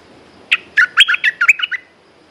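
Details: Red-whiskered bulbul song, a caged bird, with a quick run of about nine bright chirped and warbled notes between 1 and 4k, some with short whistled slides, over quiet background.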